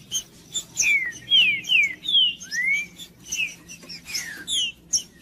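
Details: Green-winged saltator (trinca-ferro) song for warming up a cold male: several loud descending whistles in quick succession, a rising slur near the middle, then softer notes; steady low hum behind.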